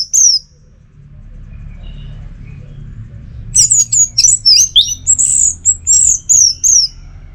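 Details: A caged orange-headed thrush from North Bali pours out teler song meant to provoke other birds: one whistle, a few seconds of quiet hum, then a dense sequence of slurred high whistles, roughly a dozen in four seconds.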